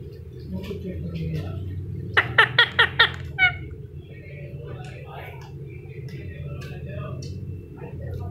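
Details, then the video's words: Rose-ringed parakeet talking, a quick burst of five sharp, clipped syllables and one harsher note, over a steady low room hum. "Parrot Talking Video || Ringneck Parrot"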